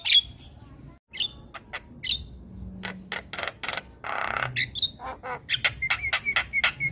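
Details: Javan myna singing loudly, other birds said to join in: scattered clicks and whistles, then a long harsh rasp, ending with a fast rhythmic series of sharp clicks and thin repeated whistles.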